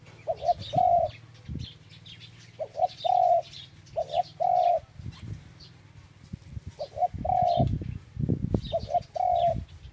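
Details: Repeated dove call phrases, each a pair of brief coos leading into one sustained mellow note. Five phrases are spaced roughly every two seconds, over steady low hum and scattered thin chirps of other birds.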